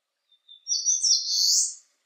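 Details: Eastern crowned warbler singing on a sunny 19 °C day: a thin high note, then a loud buzzy, rising phrase lasting about a second, with a quiet background.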